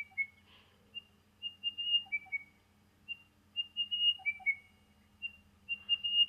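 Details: Crested Bellbird near Brisbane, Australia, gives clear, high whistled notes in short repeated phrases every couple of seconds, a ventriloquial call starting very soft and building louder, with a steady low hum underneath.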